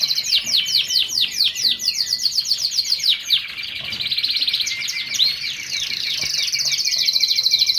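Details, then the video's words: Lancashire canary song: rapid repeated chirps and trills with fast descending notes, then a long buzzy rolling trill in the second half, all high-pitched and continuous. "كناري لانك شاير ، lancashire Canary"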